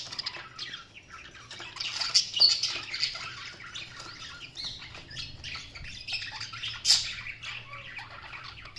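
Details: Budgerigars chirp in softer, more distant-sounding buzzy chatter, quick irregular twitters with a couple of sharper louder notes near the middle and end.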